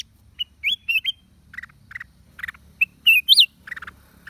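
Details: Black-crested bulbul on 29 December 2023: curling whistled notes given in a quick trio, then softer chirps, then loud looping rising-and-falling whistles, with a low hum underneath.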